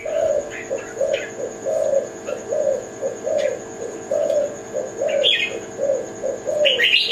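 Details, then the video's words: Kelantan zebra dove cooing: mellow low notes in short phrases with small pauses, while higher chirps from other birds break in, especially near the end, over a thin steady background tone. "Kicau Mania - Jenis Burung Tekukur Kelantan"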